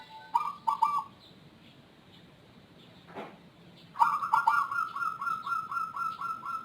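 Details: Zebra dove noted for an odd voice and long calling bouts. A short coo phrase is followed after a pause by a long run of rapid, evenly repeated, slightly rising cooing notes, with a dull thump in between.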